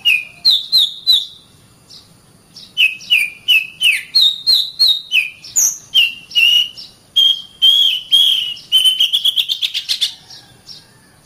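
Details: Oriental magpie-robin master song for training caged birds: repeated paired whistled notes alternating between two pitches, a downslurred note, then a rapid trill of short whistles climbing toward the end.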